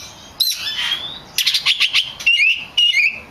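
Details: Oriental magpie-robin song used as a lure to provoke other magpie-robins into singing: a long sweeping whistle, then a fast burst of sharp chirps and bright rising whistled notes, loud and clear.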